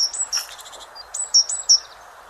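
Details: Great tit, a common garden visitor, sings thin, high two-note phrases that alternate a higher and a lower pitch, repeated quickly, over a steady low hiss.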